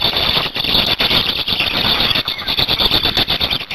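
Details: Black storks at a nest in Hungary, 8 May 2019, during the change-over of adults and feeding; a continuous harsh, rasping squeal with steady pulsing, dense high-pitched noise throughout, barely pausing.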